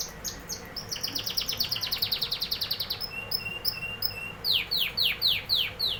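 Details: Canary singing a rapid rattling trill of high notes, then spaced level whistles, ending in loud downward-sweeping notes about twice a second.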